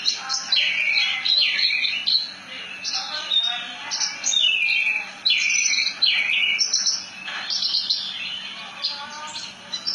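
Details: Javan bush lark, locally branjangan, singing its melodious rolling ngerol nembak style: a fast, busy stream of high chirps, trills and sliding whistles, phrases broken by short gaps.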